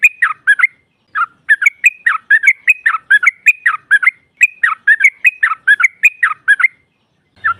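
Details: Trucukan female voice aimed at provoking rivals: a steady series of short, liquid two- and three-note phrases, each note dipping and rising, repeated evenly for about seven seconds.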